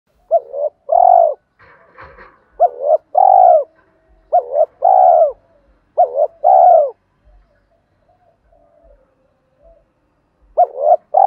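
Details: Spotted dove in 'thổ' voice style giving a challenge call meant to provoke fighting, mixed with calling song: repeated phrases of short hooting notes and a long rolling coo, four phrases with a pause near the end.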